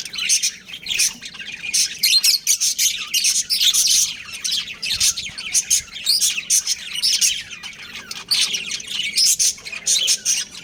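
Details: Breeding pair of pet budgerigars chirping: dense, continuous high twittering chatter in rapid bursts, with short pauses between clusters of sharp chirps and warbled notes.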